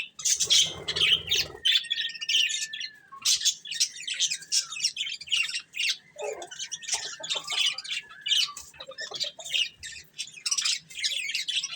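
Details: Pet budgerigars feeding on corn produce a long stream of rapid scratchy chirps and warbling chatter, with a brief low rustle at the start.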